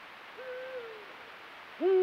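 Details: Eurasian eagle-owl in breeding season on a full-moon night. A faint, drawn, slightly falling call, then after a pause a loud, abrupt, rich call that rises and holds as the recording ends.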